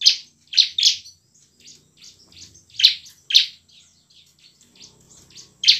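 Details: Bar-winged prinia singing vigorously with emotion in ngebren and nembak style, used as a lure to make lazy birds sing. Sharp high chirpy bursts come singly and in pairs at irregular intervals, with quiet gaps between.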